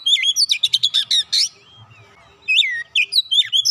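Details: Oriental magpie-robin song to stimulate a quiet bird, a fast string of scratchy chattering notes, a couple of soft slurred whistles, then a renewed burst of bright rising and falling whistles.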